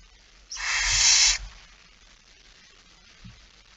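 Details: Barn owl at night on 17 September 2019, near midnight, with a male delivering a mouse: one loud, steady, rasping hiss of nearly a second, then quiet with a few soft low knocks.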